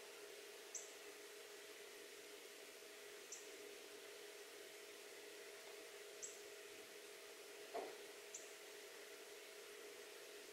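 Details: Male Northern cardinal eating sunflower seeds at a transparent acrylic window feeder gives four sharp, high, metallic chips spaced two to three seconds apart, over a steady low indoor hum and one dull knock.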